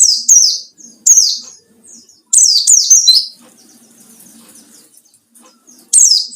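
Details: Rival-provoking ngalas song of a white-eye: sharp, high, sweeping chirps in short clusters, a longer jumbled twitter midway, then a quiet stretch before a final bright note.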